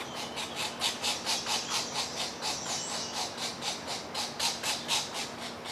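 Pileated Woodpecker at the nest: a steady run of harsh, hissing, high-pitched rasps, about two each second, with a faint low hum behind.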